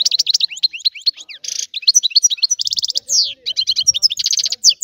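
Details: European goldfinch of Sicily in a rare 'antique' song: lively, high chattering twitters with buzzy rattles, quick trills and a downward slurred note, almost continuous throughout.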